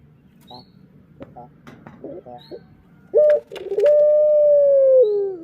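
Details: Barbary dove lure call meant to stimulate other birds: after three seconds of faint soft clicks and short notes, a loud steady coo starts, then a long, even, slightly falling tone.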